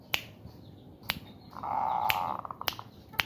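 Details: Caged zebra dove in breeding condition, stimulated by its keeper's fingers, gives one drawn-out mellow coo breaking into a rapid rattle, while sharp finger snaps or clicks sound about once a second.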